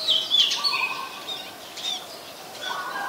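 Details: Oriental magpie-robin singing in Ubon Ratchathani, Thailand, on 14 October 2021, recorded on a Nikon P1000: a short burst of clear whistled notes and quick slurred phrases, with a few lower warbles beneath, over a steady outdoor hiss.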